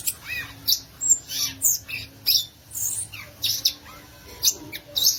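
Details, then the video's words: High, chattering violaceous euphonia song made of evenly spaced bursts of squeaky chips and short buzzy notes, roughly two or three each second. "Belíssimo Canto do Gaturamo Verdadeiro, ou Guriatã"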